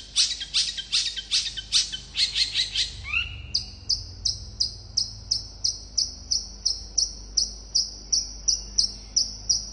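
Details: Long-tailed shrike giving rapid, tightly spaced song intended to make other shrikes respond: a scratchy chattering opening, a brief lower slurred note, then an even series of sharp high notes about three per second.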